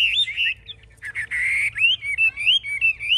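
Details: Chinese hwamei kept in a cage, a hard fighter shown with wings held high and tail spread, gives rich, varied whistled phrases broken by a short harsh buzzy burst, then rising and falling slurred notes.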